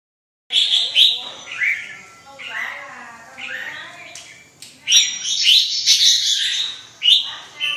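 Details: Red-whiskered bulbul (chào mào) singing: a lively run of warbled, gurgling phrases that rise and fall. A short pause falls midway, then a brighter, denser burst of chirpy notes follows.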